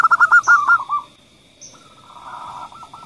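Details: Zebra dove female call followed by a male's, meant to prompt other doves to call: a fast stuttering burst of clipped coos fades, then after a short gap a softer, smoother rolling coo begins.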